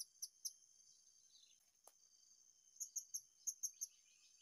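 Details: Blue-crowned hanging parrot, sought at a new spot in the field, giving short, shrill, high chirps: two early notes, then a quick run of six evenly spaced notes, over a steady high insect drone.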